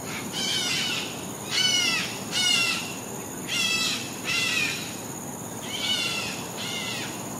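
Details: White-crested laughingthrush in Singapore giving harsh, raspy chattering bursts, each about half a second, repeated roughly every second or two, over a steady background hiss.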